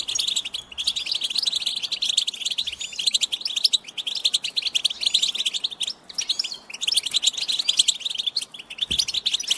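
A goldfinch sings a fast, continuous twittering of bright, high chirps and buzzy trills without a pause for nearly ten seconds.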